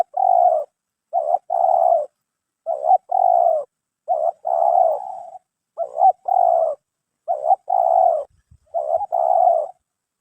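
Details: Spotted dove (terkukur) with 'mersik'-style voice, picked for voice and body shape; steady series of about seven coo phrases, each a quick double lead note and a longer mellow coo, spaced roughly every 1.5 seconds, no other sounds.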